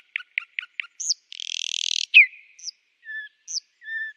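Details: Nightingale song phrase: four quick paired notes, a high upslurred whistle, a harsh buzzing trill, a loud sharp note, then soft low whistles alternating with short high upslurs.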